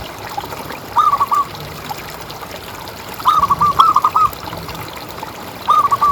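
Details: Local zebra dove, a caged songbird, calling as a lure to set other doves off: three phrases of rapid, rolling, bubbly coos spaced a few seconds apart, the middle phrase longest, over soft steady hiss.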